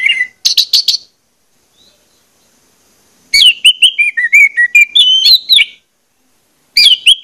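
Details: Orange-headed thrush song played to stimulate singing: a short burst of chips and whistles, a pause, then a long rambling phrase of varied, slurred whistles, ending with one more brief phrase.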